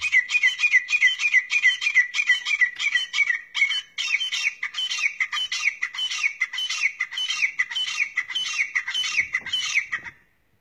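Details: Grey francolin in Pakistan giving a loud, harsh, ringing call of fast repeated notes, about three a second, running steadily for ten seconds with no other sounds.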